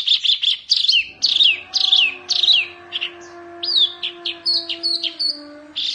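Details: Fiercely singing wambi mini Oriental white-eye, used as a tutor recording: quick series of high sharp chirps and downslurred whistles, roughly two per second, some notes rising steeply, over a faint low droning tone.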